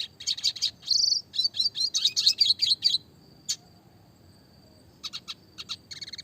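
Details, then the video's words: Red siskin, classic clear-voiced song in roll and rapid-fire style: a three-second stream of buzzy twittered notes, then silence with a single chip, and a few short high chips at the end. "burung red siskin klasik gacor suara jernih masteran burung kecil variasi roll tembak"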